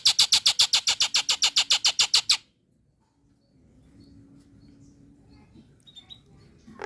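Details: Nias hill myna hen calling to males as a lure. A rapid, regular burst of loud, high, clipped notes for about two seconds, then near silence with faint distant chirps.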